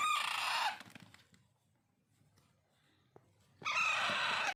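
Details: A hand-fed Alexandrine (pahadi) parakeet chick gives two harsh, raspy begging bursts, each under a second, separated by a quiet gap with faint handling noises.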